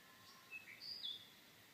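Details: An Australian gerygone (bush canary) gives a few thin, very high whistled notes in quick succession, sliding slightly, over a soft steady background hiss.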